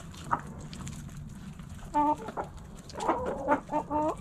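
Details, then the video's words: Hens clucking in a backyard coop, with a few soft notes followed by short bursts of tonal, bleating clucks in quick pairs and triplets over a low background hum. "Backyard Chickens In The Coop Relaxing Video Sounds Noises Hens Clucking Roosters Crowing!"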